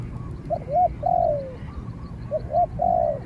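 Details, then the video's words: Spotted dove taken out for training and calling against a wild dove that answers from a distance. Two hooting phrases, each two short notes then a long, drawn-out coo that slides downward, over a low rumbling background. "เสียงนกเขาใหญ่ ต่อ นกเขาใหญ่"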